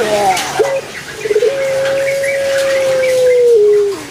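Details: A Barbary dove (Streptopelia risoria), kept as a pet, gives a few soft clipped notes, then one long, steady, mellow coo that drops in pitch at the end; faint chirps sound in the background.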